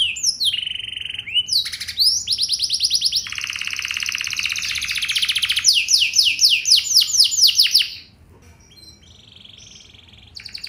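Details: Canary lure song meant to make other canaries sing back, a rich, ornate style: steady whistled tones, buzzy extended trills and fast series of rising repeated notes, fading to a quieter held tone over low background hum.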